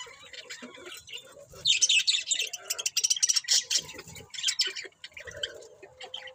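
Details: A group of budgies in loud, scratchy chattering warble, rapid high chirps bunched into a burst mid-clip, then softer scattered squeaks and a faint low murmur.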